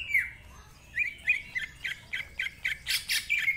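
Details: Greater green leafbird's rough-voiced song with many varied phrases: a falling whistle, then evenly spaced short squawky notes about every quarter second, with two louder harsh bursts near the end.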